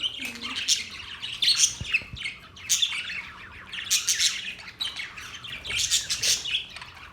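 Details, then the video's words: Australian parrots calling, dated October 10, 2023: a busy mix of harsh squawks and chattering chirps from several birds, bursts coming in uneven waves throughout. "Beautiful Australian parrot sounds | Parrots talking sound"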